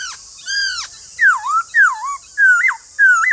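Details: White-cheeked laughingthrush delivering loud slurred whistles: a long falling note, then four phrases that drop and hook back upward, roughly every half second, over steady background hiss.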